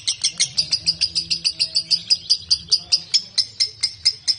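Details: Lovebird in a recording made to entice other lovebirds into ngekek: a steady series of sharp, high squeaky ticks, about four or five per second, with faint low background hum.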